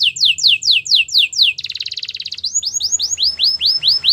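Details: Spanish Timbrado canary song: six falling whistled notes, a fast rattling trill, then a string of rising whistles repeated steadily, faint background hum beneath.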